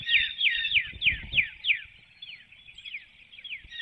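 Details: A nest webcam in Hanover, Pennsylvania, captures a female bald eagle calling as she leaves her nestlings and flies through a woodlot before dawn on 12 April 2019. Quick downslurred chirps come about three per second, then fade and become fainter.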